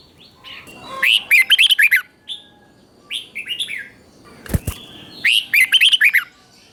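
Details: Red-whiskered bulbul teacher bird, doubled-phrase song meant for captive bulbuls to learn: two clear bursts of fast, ringing warbled notes separated by softer scattered calls and a sharp knock.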